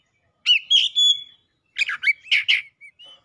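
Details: Kacer, an Oriental magpie-robin, in full heated song, unloading its isian fill-ins: a bright rising whistle run, a pause, then rapid scratchy, chattering notes and soft short chirps.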